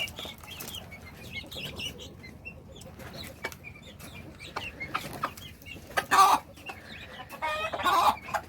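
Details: A mother hen calling chicks to food is heard quietly, with sparse clucks and two short harsh squawks near the end. Many soft, high, downward chick peeps are scattered through the clip.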